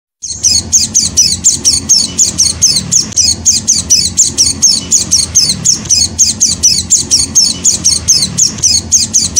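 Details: White-eye chick (Zosterops), a hand-reared young bird: rapid, high, sharp chirps repeated about four times per second in a steady, unbroken run, over a constant low hum.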